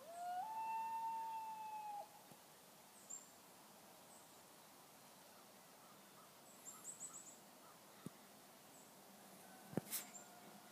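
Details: Loon in morning mist giving a clear, long wail that swoops upward and then holds level for nearly two seconds, then quiet with a few distant chirps and knocks.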